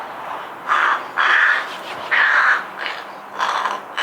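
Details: Rook in a garden in Hampshire, U.K., during 2020, chattering to itself in a possible form of song; four harsh, cawing phrases of varied length with short gaps between them, one near a second long.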